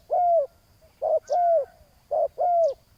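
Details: Ground-decoy spotted dove calling against a rival: three clear pairs, each a short low coo and a longer downward-sliding croon, spaced roughly one second apart, over a quiet background.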